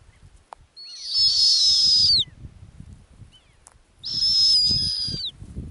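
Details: Snowy owl, a female nesting on the ground in the Arctic, utters two drawn-out piercing whistled screams about three seconds apart, each steady and high before a short downward slur, over soft low background noise.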